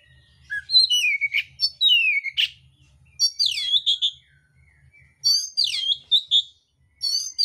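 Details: Oriental magpie-robin, mintal type, in fighting song with coarse fill-in phrases. Loud downslurred whistles and buzzy sweeps come in clusters of about a second, with brief pauses between groups.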